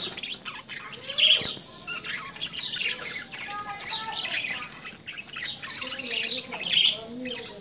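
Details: Budgerigars in an aggressive encounter, giving continuous busy chatter of scratchy chirps and squawks, with two sharper peaks and soft lower warbling notes underneath.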